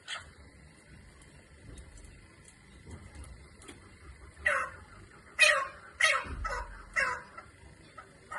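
A Chukar partridge gives a short run of five harsh, raspy chuck notes about half a second apart, over a faint steady high whine.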